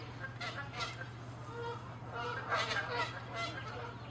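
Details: Canada geese fighting, angry and territorial; short harsh honks in clusters, overlapping calls from more than one bird over a steady low hum.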